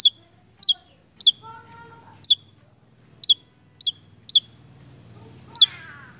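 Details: Javan tesia singing energetically in a lure recording for songbird keepers: sharp, bright chip notes that drop in pitch, repeated at uneven intervals roughly every half second to a second, with a faint low hum and brief soft twittering in between.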